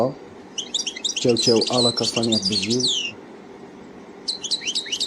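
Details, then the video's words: An Algerian "Kadousi" European goldfinch sings a rapid, high, liquid twitter of tinkling notes in two bursts, with a man talking over the first burst. "تغريد الحسون القادوسي"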